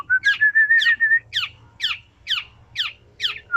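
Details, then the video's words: Black-naped oriole singing: a long, steady whistled note, then a run of six sharp, harsh descending notes spaced about every half second, clear over a low hum. "Burung Kepodang sedang bernyani"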